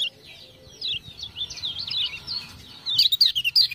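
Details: A tutor lemon-bellied white-eye from Lombok, prompted by ciak-ciak sounds, pours out a continuous thin warbling line of quick rising and falling chirps, ending in louder notes mixed with sharp crackling clicks.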